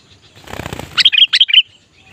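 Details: Sooty-headed bulbul, a vocal bird being trained to lure wild bulbuls: a burst of wing fluttering, then a short bubbly phrase of about five quick, loud whistled notes.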